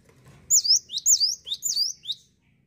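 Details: ['Cinereous tit delivers a rapid series of high, downslurred two-part whistles, about five phrases in under two seconds, clear and loud.']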